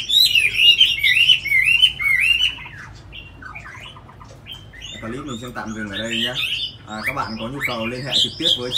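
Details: Tame Chinese hwamei from Hà Nội, said to sing very well: loud rolling whistled phrases for a couple of seconds, then softer notes as a man's voice begins talking over the bird.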